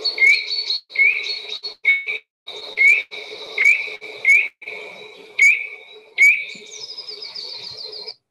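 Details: Eurasian nuthatch song, given by the male only in spring, a loud series of short, high, upslurred whistled notes roughly every half second to second, ending in a quick rippling trill.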